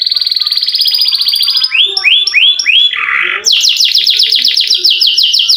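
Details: Canary in vigorous long-rolling song, meant to spur silent canaries to sing: a fast steady trill, then four looping warbled phrases, followed by a bright series of quick descending notes repeated about three times per second.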